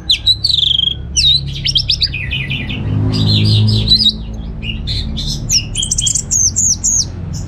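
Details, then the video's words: Orange-headed thrush from Singaraja, North Bali, caged and trained for song contests, produces rapid chattering phrases, whistled slurs and a closing series of repeated high looped notes, with low rumble behind. "Suara ANIS MERAH Berkicau"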